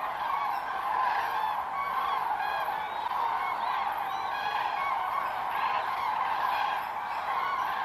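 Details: Massed common cranes at a September 2023 gathering site at the Milicz Ponds in Poland produce an unbroken wall of loud, overlapping trumpeting calls. The whole flock calls together and no single bird stands out.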